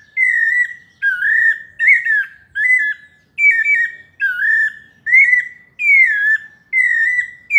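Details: Paulista-style melodious song of the sabiá parda (pale-breasted thrush): quick succession of whistled phrases, about one per second, some sliding down and others wavering, all clean and loud.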